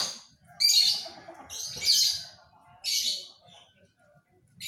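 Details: Panda canary singing in short bursts of bright, high twittering phrases, separated by brief pauses, with faint low background rumble.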